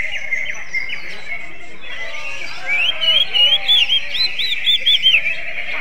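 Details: Greater green leafbird singing in an oriental magpie-robin style. After quieter chatter, a loud run of rapid, curling whistled notes swoops up and down for about three seconds over a continuous high chirping background.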